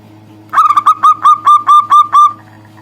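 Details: A local zebra dove calls to a rival with a fast stammering start that settles into about eight full, rounded coos repeated steadily at one pitch, over a faint low background hum.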